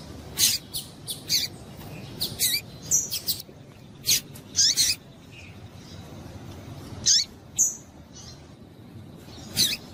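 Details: Female Double-collared seedeater calls meant to get males singing: clusters of quick, high, thin chirps early on, then sparser single notes and a short whistled tone.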